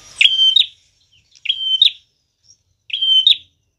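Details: Prinia song used as a trapping lure: three separate phrases, each a level high whistle closing with a buzzy twang, about one and a half seconds apart.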